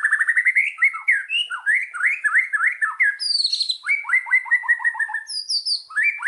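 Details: White-rumped shama from Indonesia on a lure track to prompt singing: rich whistled phrases of repeated rising and falling slurs, with quick stuttering notes and occasional high, thin whistles.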